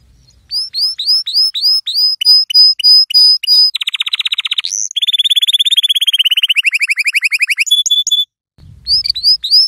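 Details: Yellow canary singing as a lesson for young canaries: a row of upslurred whistled notes, then a dense buzzy trill, a sweeping rising note and a long rapid rattle, ending in more upslurred whistles over low rumbling.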